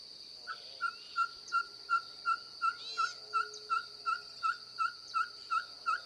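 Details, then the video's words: Ferruginous pygmy owl song, a long, even series of about fifteen short whistled hoots at a brisk, regular pace of nearly three per second, with a constant high-pitched insect buzz behind. "cabure cantando"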